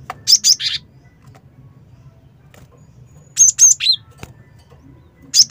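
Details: Java sparrow call used as a lure: three bursts of high, sharp chirps with clear whistled notes, each burst of two or three quick notes, separated by long pauses over a faint low hum.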